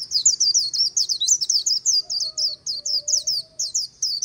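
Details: White-eye singing by the Kỳ Cùng river, Vietnam, a rapid run of high twittering notes, about four per second, steady for the whole stretch, with a faint low tone in the background.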